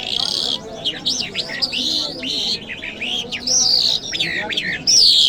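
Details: Lark song in loud, varied bursts: looping whistles, sharp chirps and buzzy trills delivered in irregular phrases, low human voices beneath.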